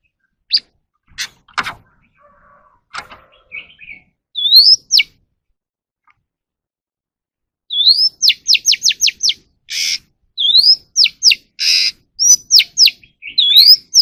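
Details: Oriental magpie-robin in voice-training practice sings high, clear upslurred whistles in quick bursts, mixed with rapid down-slurred notes and short scratchy buzzes; a few clicks open the recording.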